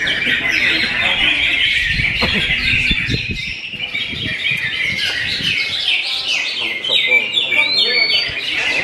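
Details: A greater green leafbird's song, a rapid chattering stream of chirps and trills with one clear rising whistle near the end, plus some tapping noises.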